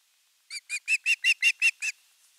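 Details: Osprey youngster at nest 3, 10 August 2021, pleading for fish: eight high whistled squeals, starting softly and swelling, spaced about five per second.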